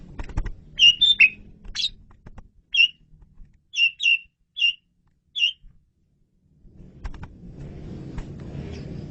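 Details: Asian pied starling masteran recording of lively song: a cluster of bright chirps, then evenly spaced single sharp whistled notes roughly every half-second to one second, ending in quiet background rumble.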